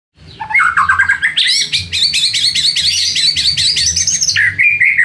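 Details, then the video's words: White-rumped shama (murai batu) lure song meant to provoke rival birds into answering: rapid, continuous warbled phrases that climb from lower whistles into dense, high, ringing trills, held loud almost without pause for five seconds. "PANCINGAN MURAI BATU PENDONGKRAK EMOSI MUSUH"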